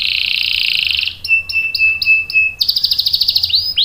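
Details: Long-rolling canary song used for prompting and tutoring young birds: a dense buzzy roll, five separate ringing notes on one steady pitch, then a quick high trill.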